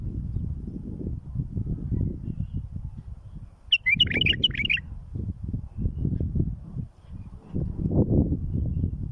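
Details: Bulbul song played to tutor chicks and bring them to fledging: a single one-second burst of rapid, bubbling, warbled notes midway through, set against steady, fairly loud low-pitched rumbling noise.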